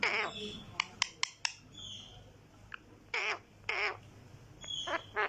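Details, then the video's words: Green talking parrot making short harsh squawks and quick clicks, a few louder rasping calls near the middle and end, over a soft steady background hum. "Talking Parrot green"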